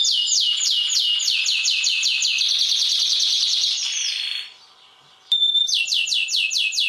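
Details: Canary (kenari) singing an intense rolling 'ngerol' song, used as a master tutor song for other cage birds; rapid high downslurred whistled notes merge into a dense buzzy trill, a short silent gap, then the quick sweeping notes resume.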